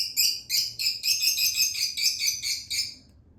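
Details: Baby lutino Fischer's lovebird during hand-feeding, producing a fast, almost continuous run of harsh, high, buzzy begging notes, about four per second, fading out at the end over faint low hum.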